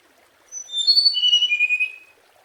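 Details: Scarlet minivet singing a single phrase of thin, bright whistled notes that slide and step down in pitch over about a second and a half, heard against near silence.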